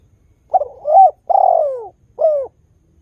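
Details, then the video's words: A single phrase from a spotted dove whose melodious calling is meant to draw wild doves into calling: a broken opening coo, a rising note, a long falling coo and a short end note. "TEKUKUR GACOR suara merdu - berkesan memancing tekukur baru supaya ikut berbunyi"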